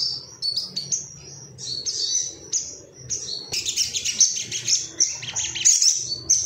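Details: Ruby-cheeked sunbird male in an excited, rival-seeking state, giving spaced high squeaky notes that build into a fast, crowded, shrill twittering run in the second half.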